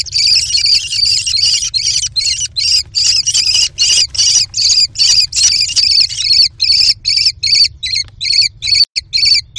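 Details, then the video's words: Nest box of four American kestrel young during a feeding scramble with tug-of-war over prey; rapid, rasping high screams in a dense repeated series, about two and a half per second, with faint knocks. "CRAZY Food Frenzy ~ Steals, Mantles & Tug-O-Bird"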